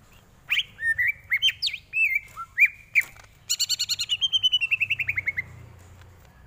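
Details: Greater green leafbird song used as tutor song for training: varied whistled slurs and upswept notes, then a fast series of about a dozen repeated chirps descending in pitch.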